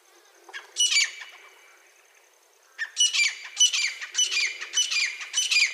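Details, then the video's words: Wild grey francolin calling: two bursts of harsh, high, squawky notes, the second a run of five rapid grating phrases about every half second, over a quiet rural background. "jangle teetar ki clear zabardasthi sound"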